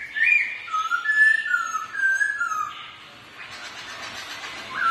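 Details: Competing in song while dancing, two ornamental black-throated laughingthrushes give a series of pure whistled notes wavering up and down, followed by a stretch of rustling noise and a faint rising note.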